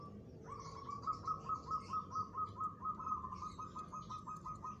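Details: Local zebra dove answering a rival's challenge: a soft, even series of quick repeated coo notes, steady rhythm of about two per second, over light background noise.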